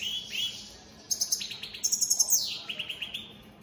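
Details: An Opal split Satane mutation European goldfinch sings a bright, tinkling twitter of quick high notes, with short trills and liquid, buzzy phrases repeated in rapid bursts.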